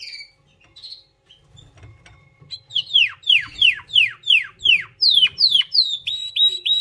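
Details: White canary singing: after a few scattered soft notes and a quiet gap, a run of loud, clear downslurred whistles repeated about three per second, ending in brighter, quicker chirps.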